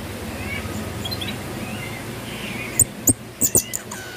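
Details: Pin-tailed parrotfinch (Erythrura prasina), song.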